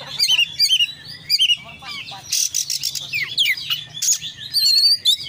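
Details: Vigorous 'konslet'-style Oriental magpie-robin song full of varied fillers: repeated clear whistled phrases at first, then harsh buzzy bursts mixed with twittering and thin high whistles, over a low background hum.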